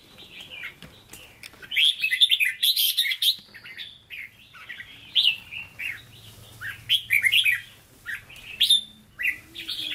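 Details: Caged red-whiskered bulbul in Hue-style singing, offered for sale: bright whistled and warbled phrases in quick bursts, rising and falling, repeated with short pauses across the clip, with a faint low hum underneath.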